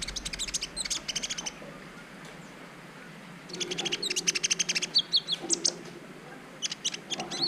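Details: Brown-throated sunbird in a training recording to trigger mating urge in other birds: dense clusters of thin, high chirps and trills, a quiet gap of two seconds, then a longer burst of rapid, piercing notes with faint low background noise.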